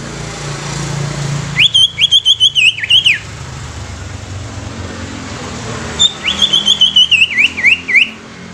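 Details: Greater green leafbird song meant to get other leafbirds singing and excited: two bursts of quick, ringing whistled notes, each with sharp slurs and dips, separated by about three seconds of steady background hiss.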